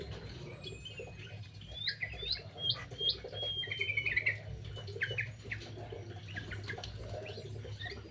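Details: Birds squabbling over food in an aviary: bright, upslurred chirps and short twittering phrases from several birds, loudest in the middle, with steady low background rumble.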